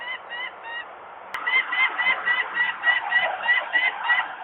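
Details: Peregrine falcon parents screaming in alarm at a nest site in Włocławek, Poland, on 23 May 2022 in the afternoon, as workers make noise nearby while young remain on the landing: rapid harsh repeated cacking notes, about four per second, growing louder.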